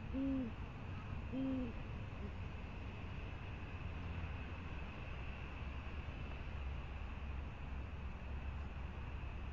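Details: Soft low hoots from a great horned owl at the Presidio on 28 January 2019 after it brings prey: two rounded hoots about a second apart open the recording, then only steady rumbling background noise.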